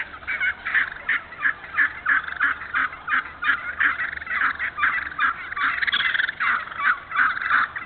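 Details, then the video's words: Wild turkeys in an open hardwood-savanna stand in Moore County, North Carolina, in 2018, give a busy run of hoarse yelps, kee-kee notes and rattling gobbles, about three bursts a second, overlapping and uneven. "Turkey Talk"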